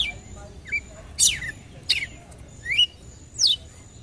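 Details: Red-cowled cardinal calling to excite a male: five loud, bright, downslurred or upswept chirps roughly every half second, plus a soft short note, in a quiet setting.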